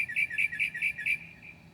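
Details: Northern mockingbird at 2 a.m., 7/9/2008, copying other birds' calls: a short burst of about six quick, nasal repeated notes that fades out.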